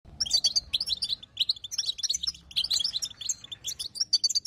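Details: Female European goldfinch giving its bitbita call, meant to push a silent male into singing: rapid bursts of high, bright twittering chirps in clusters about every half second, over a faint low hum.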